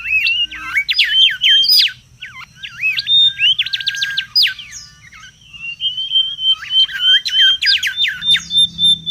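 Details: Mangrove whistler calling noisily in the wild, a lure and tutor recording: bursts of rapid whistled, slurred notes broken by short pauses and a long thin steady whistle, then a final quick series.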